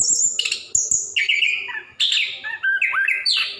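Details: Orange-headed thrush in full 'gacor ngerol' song, recorded to coax reluctant caged birds into singing; high piercing whistles give way to lower warbled and slurred notes, with phrases jumping sharply in pitch.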